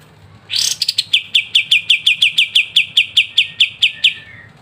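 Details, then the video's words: Olive-winged bulbul song, crisp and energetic 'ngebren' style, meant as master song for training songbirds; a harsh rushing opening note followed by about fifteen evenly spaced bright chips. "KAPAS TEMBAK GACOR NGEBREN RENYAH"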